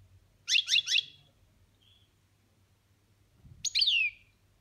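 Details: A pet European goldfinch gives its boniments, one style of chatter. Three quick, harsh, buzzy notes come in a rapid row. After a pause of about two seconds comes a single note that sweeps downward. A faint low hum sits underneath.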